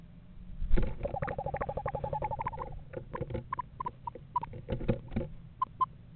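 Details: One of a pair of Eastern Screech-Owls at a yard nest box in November gives a quick, tremulous trill of even notes under two seconds, then scattered soft single notes, over low rumbling background noise.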